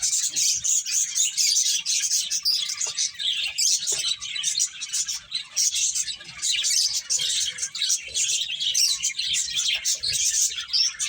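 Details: A lively group of finches playing and chirping nonstop, with rapid high twitters packed densely together and only slight dips in loudness.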